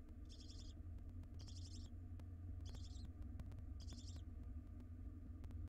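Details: Wild barn owl nestling, one day old, calling alone in its nest box during the mother's brief absence: four harsh, wheezy chittering bursts about a second apart, with a constant low rumbling hum and faint ticking beneath.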